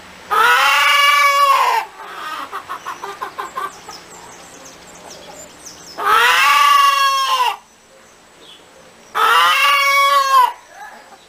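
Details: A hen cackles: three long, loud, harmonic squawks about four seconds apart, with a rapid run of short stuttering clucks after the first, and faint background noise.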